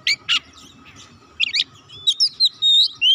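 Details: White-rumped shama singing to stimulate other birds: a few harsh chirps followed by pure drawn-out whistles, rising and falling, with a faint low hum underneath.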